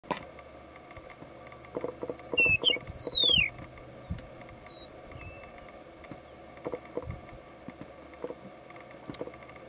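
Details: A meadowlark in central Florida on 24 March 2020 gives one bright, flute-like phrase of slurred whistles tumbling downward, lasting about a second and a half, over a steady low hum and faint taps.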